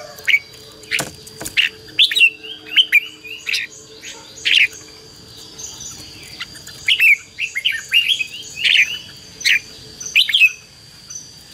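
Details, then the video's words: Fighting-style red-whiskered bulbul song for training and luring birds: bursts of bright warbled chirps, rising and falling, broken by sharp clicks and quiet gaps, with a constant thin high tone behind. "CHÀO MÀO HÓT GỌI BỔI CHÉ CĂNG ĐÉT QUÁ HAY"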